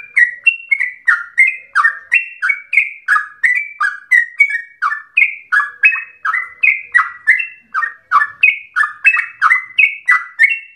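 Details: Extended 'ropel' song of a yellow-vented bulbul (trucukan), said to sound like a straw-headed bulbul: over ten seconds of unbroken, rhythmic, bubbling whistles, each a quick rise and fall, around three per second.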